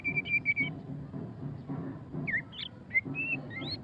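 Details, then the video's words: White-rumped shama (murai batu pastol) in ngeriwik style, giving a few clear high whistled notes, a brief wavering note and short upward slurs, separated by gaps, against a low steady hum. "suara kicauan burung murai batu pastol ngeriwik - white-rumped shama"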